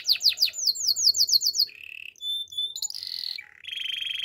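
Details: Waterslager canary singing its training song, starting with rapid looping chirps, then short whistled notes, a high buzzing roll and a lower even trill.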